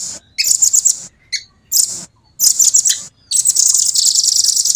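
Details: A velvet-fronted nuthatch gives several short, piercing high trills with gaps between them, ending in a longer dense rolling run.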